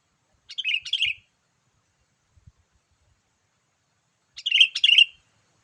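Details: Sooty-headed bulbul, a lively call used to lure wild bulbuls: two bursts of bright, rapid chirping notes, each about half a second long, separated by a few seconds of silence, with a faint low thump between them.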